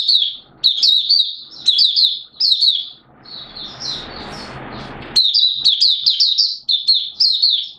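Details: Malaysian mata puteh, or Oriental white-eye, in 'buka sing' opening song, Singapore, 29 March 2023, warm humid weather with sudden showers; bursts of high, quick chattering warble, interrupted midway by a few seconds of rushing noise before singing resumes.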